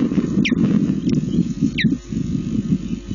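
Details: Osprey bringing a fish to its chicks at a nest in Lipka, Poland, 25 June 2016, mid-afternoon, nest camera; two high, piercing upslurred chirps about one second apart against heavy low wind rumble.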